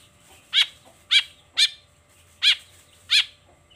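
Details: Long-tailed shrike in the morning, one of its repertoire sounds: five short, nasal, bark-like notes with rich harmonics, given at uneven intervals of roughly half a second to nearly a second.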